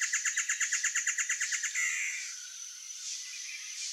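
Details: Great antshrike (Taraba major) song, given to hold territory or win a partner: a fast train of about a dozen loud, bouncing notes, ending in a short harsh snarl, followed by quiet background with faint distant chirps.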